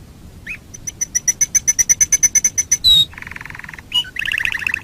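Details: Canary song used as a master recording for training birds: a brief rising note, then a fast series of evenly spaced sharp chips, a loud high whistle, a rapid low buzzy roll and a final rattling trill.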